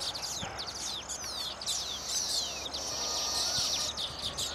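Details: Several baya weavers sing at their finished nests, fluttering both wings to attract females; quick descending whistled sweeps tumble over one another, then a drawn-out buzzy wheeze takes over.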